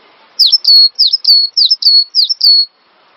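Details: Cinereous tit, recorded to stimulate captive songbirds. One clean, loud series of about eight high notes in quick pairs, each slurring sharply down and ending in a brief level whistle, on an otherwise near-silent background.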